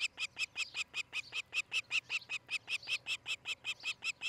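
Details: Osprey at its nest in Charlo, Montana, on a nest camera at dawn on 13 July 2018. It gives a steady run of about eighteen sharp, high, piercing whistled notes, roughly four per second and evenly spaced. Faint low hum underneath.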